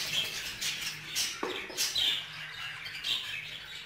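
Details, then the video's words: Male budgerigar in a group aviary showing jealousy over a female: bursts of scratchy, high chirps and squawks rising and falling in loudness, with a brief low thump and steady background hum. "شاهد كيف يغار ذكر البادجي على الانثى"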